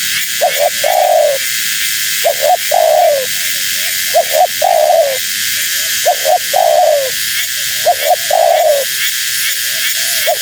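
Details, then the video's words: Spotted dove, a female, cooing to attract wild doves; about five repeated phrases, each a quick double hoot followed by a drawn-out descending coo, roughly every two seconds, with constant hiss behind. "Suara Burung Tekukur Betina Gacor‼️Tekukur Liar Pasti Tak Tahan Mendengar Suara Ini"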